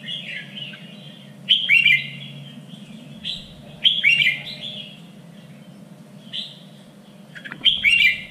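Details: Red-whiskered bulbul song for training contest birds, a standard three-region Vietnamese voice: clear whistled phrases rising into loud chattering flourishes, roughly every two to three seconds, with a constant low background hum.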